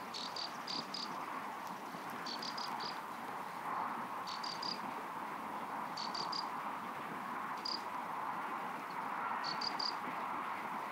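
Graceful prinia alarm calls: quick clusters of three or four sharp, high ticking notes, repeated every one to two seconds over a steady rushing background.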